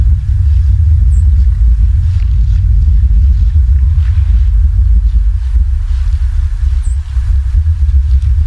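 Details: Steady loud low rumble of wind or traffic noise fills the whole stretch, with no animal voices.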